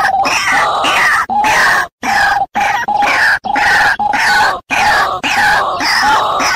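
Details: White-breasted waterhen lure call used for trapping: loud, harsh, grunting croaks in rapid, uneven bursts with brief pauses, nearly two bursts a second.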